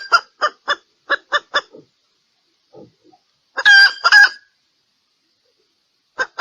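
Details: Female red junglefowl calling for males, a decoy recording used for luring wild cocks: six quick, sharp clucks at about four per second, a pause with faint soft notes, then a loud, harsh, drawn-out double squawk and one final cluck.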